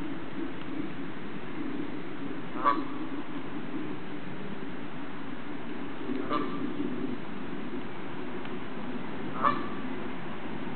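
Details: A tame female Canada goose, said to come to her protector to "tell her troubles", gives three short, nasal honks spaced about three seconds apart over a steady low rumble of engine or traffic noise.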